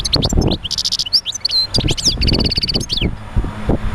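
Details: European goldfinch song used to stimulate other goldfinches to sing: dense, rapid twittering of liquid chirps, trills and short buzzy slurs, high-pitched and nearly continuous, over low rumbling background noise.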